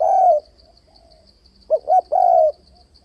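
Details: Spotted dove trap-lure call with shifting voice: a long husky coo, a pause, then two short notes and another long drawn-out coo, all low and rounded, with a thin high whine running throughout.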